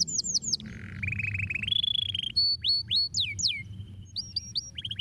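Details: Canary song for stimulating singing: brief falling trill, a low buzzy churr, a long level whistle, then clipped and curling notes with gaps; low hum in the background.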